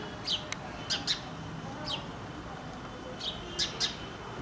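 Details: Indian house sparrow in India chirping: clear, sharp downslurred chirps, several in quick doublets, spaced irregularly over a faint steady background hiss.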